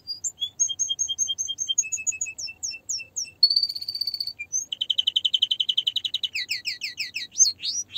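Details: Canary singing a sequence of rapid repeated whistled notes, a slow series of downslurs, a short buzzy trill, a long fast rattle and closing loud sweeping notes; faint low hum beneath.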